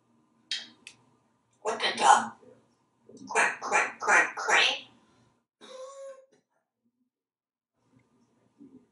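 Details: Talkative male African grey parrot in a Texas home bathroom, mimicking human speech: a burst of syllables, a pause, then four rhythmic speech-like syllables and a short nasal sound.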